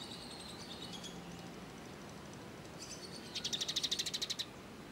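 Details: Sunbird song used as training material for songbirds: high thin tweets near the start, then a fast bright trill of about a dozen rapid notes around the middle-high range, over faint background noise.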